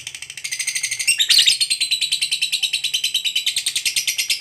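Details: Fighter lovebird giving a long ngekek trill used to prompt other lovebirds to sing: a fast, buzzy chattering of evenly pulsed notes, roughly three per second, sustained throughout with a brief louder burst near the start, indoors.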